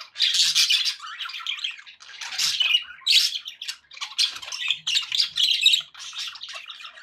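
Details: Budgerigar chatter, happy and lively: buzzy, grating warbles and squeaky chirps in drawn-out bursts, some loud squawks standing out, short pauses between phrases.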